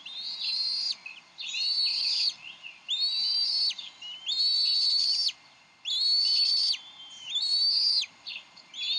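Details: At the Decorah nest on 30 May 2012, bald eagle parents argue over a fish that the female then feeds to the eaglet. Loud, piercing whistled phrases, each slurred downward at the end, repeat about every one and a half seconds.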